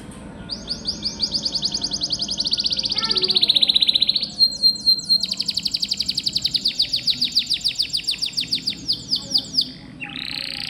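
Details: Gacor canary masteran song for training pet canaries: a long buzzy rattling trill that dips and levels, a brief pause, then a very fast metallic trill continuing several seconds before a final rising note.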